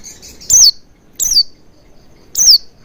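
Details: Oriental white-eye recording aimed at making a bird sing: three loud, thin notes each sweeping down from very high pitch, about a second apart, with softer higher twitter before the first.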